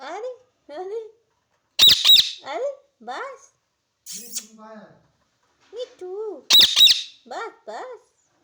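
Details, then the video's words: Pet talking parrot (mitthu), said to talk a lot, repeats short speech-like phrases with wavering, voice-like tones, broken by two sharp, loud screeches and gaps of silence between words. "बोलने बाला तोता बहुत बात करता है"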